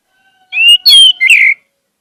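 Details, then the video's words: Orange-headed thrush phrase used to stimulate a silent bird into singing: a rising whistle, a higher slurred note and a buzzy, rich ending, over a faint steady background hum. "pancingan anis merah agar anis merah macet cepat bunyi dan gacor"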